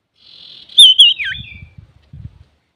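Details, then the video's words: Male common iora (cipoh, sirtu) in full song for provoking other birds: a thin buzzy trill, then a loud warbled whistle that twists and drops sharply, over soft low knocking sounds. "SUARA BURUNG CIPOH SIRTU GACOR COCOK UNTUK PANCINGAN"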